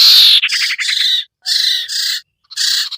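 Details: Lure recording of sirtu meant to draw wary birds down, with a rasping buzzy note that runs into a rapid pulsed trill, followed by two more harsh buzzy bursts.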